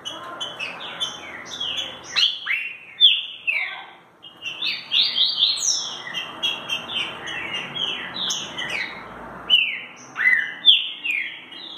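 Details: Green-winged saltator singing in the "mansarrão" style: bursts of bright whistled notes, mostly falling slurs, delivered in quick overlapping phrases with short gaps, against a soft background hiss.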